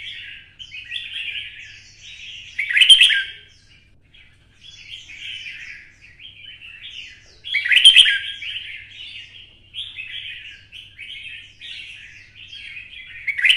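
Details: Red-whiskered bulbul, Vietnam, in the twisting 'giọng xoắn' voice style, stirred up to sing a fighting song. Chattering, warbled phrases run continuously, with two louder, harsher bursts about five seconds apart. A faint low hum sits underneath.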